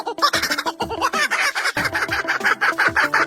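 A kookaburra gives a rapid, chuckling, laugh-like call of harsh notes, about three per second, over background music.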